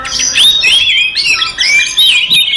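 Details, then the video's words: Fighting song of an Oriental magpie-robin, used to provoke other males into emotion: rapid chain of bright whistled slurs and chattering notes, high-pitched and nearly unbroken over a short burst. "SUARA BURUNG kacer gacor TARUNG konslet paling AMPUH buat PANCINGAN KACER EMOSI"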